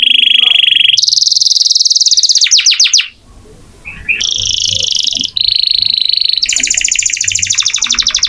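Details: Canary singing hard as a master for magpie-robins: steady high rattling rolls shifting in pitch, a brief quiet gap, then more sustained buzzy tours and fast trills.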